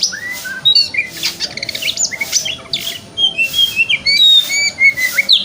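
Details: White-rumped shama (kacer) in a varied 'wikplong' style: rich whistled phrases, sharp upslurs, trills and harsh chattering notes sung in quick bursts, used to stimulate a shama in the morning to open its tail.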